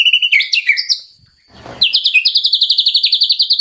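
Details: Wild White-rumped shama singing by a stream in the morning: varied clear whistled phrases, a brief pause with a soft rustle, then a rapid, even series of sharp repeated notes delivered in a steady trill.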